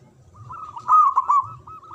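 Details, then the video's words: Local caged zebra dove singing on its perch: soft low cooing, then a loud burst of bubbling, rolled coos, fading back to quiet steady cooing. "Perkutut Lokal Gacor Suara Besar Manggung"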